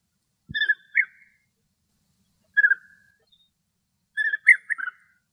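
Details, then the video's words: Male and female European bee-eaters calling in the wild in Greece; liquid, purring trills repeated in short bursts, some doubled or tripled, separated by pauses of over a second, no other sounds heard. "Μελισσοφάγος Μελισσοφάγοι Φωνές Κελάηδημα - European Bee-eater Song & Calls"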